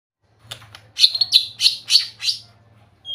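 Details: White-rumped shama singing a quick series of five bright, high chirped notes about three tenths of a second apart, over a steady low hum.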